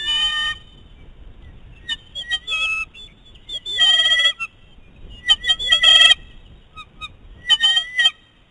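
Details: Two eagles from a restoration project squabble over prey on their nest: a male keeps his catch from a young female. Loud, harmonic whining calls come in bursts of several seconds, rising and falling, with quiet gaps between them.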